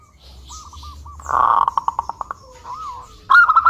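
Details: Local zebra dove lure song, meant to make other doves sing: a few soft coos, a loud rattling burst of quick notes that slows and fades, a gliding low note, then a strong ringing coo phrase.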